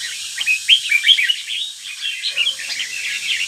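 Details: A captive northern-type red-whiskered bulbul, starting its third moult, sings a fast, chattering run of bright, sweet chirps and short whistles, packed closely together, with faint background hiss, at Bái Đính, Ninh Bình, Vietnam.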